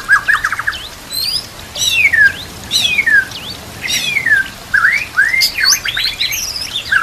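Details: White-rumped shama training song rich in isian fill-ins, set to trickling water; clear falling whistles, quick upswept chirps and brief trills, each phrase separated by short pauses.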